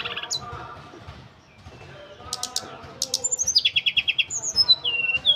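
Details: Tledekan gunung, the ashy tailorbird, in full wiksar song. Scattered chirps build into a fast, even series of sharp notes, then end in high clear whistles that slide downward.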